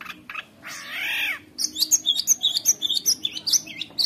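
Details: Long-tailed shrike (cendet) in full, nonstop singing used to tutor young shrikes: one broad, rising-and-falling harsh note, then a quick run of high, thin chirps and squeaky whistled notes repeated several times a second.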